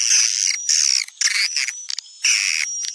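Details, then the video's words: Swiftlet call from Sumatra, played to draw swiftlets in: loud bursts of shrill, buzzy twittering separated by short gaps. A thin steady whistle-like tone runs underneath. "Suara panggil walet populer di Sumatera"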